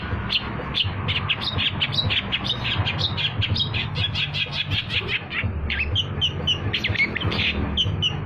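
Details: Long-tailed shrike (cendet) lure song used for trapping: a fast, continuous chatter of harsh scratchy notes mixed with higher whistled and mimicked phrases, over a steady low rumble of background noise.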